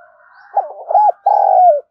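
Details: Spotted dove cooing to stimulate wild rivals: a soft hum leads into two short, bouncing notes and then a long, steady coo that falls away at the end.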